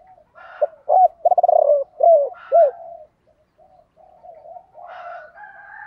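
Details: Spotted dove calls, male and female, used to make birds coo; a phrase of hoots with a rapid stuttered note and curved coos, with higher faint chirping from other birds underneath and at the end.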